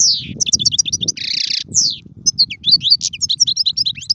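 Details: European goldfinch singing, offered as a model song for young birds: tinkling two-part twitters, a harsh buzzy rasp, then quick sweet chirps repeated in a bouncing sequence, with low background noise.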